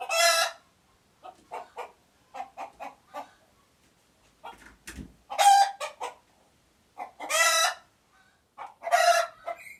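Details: Alert noises from a chicken: loud raspy squawks roughly every one to two seconds, with runs of quick clucking notes between them.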